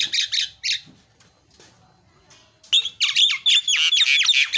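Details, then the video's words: Javan myna song for prompting a silent bird to sing: a few harsh squawks, a quiet gap of about two seconds, then a fast run of raspy notes with clear whistled strands. "MASTERNYA JALAK KEBO PALING MENGGODA"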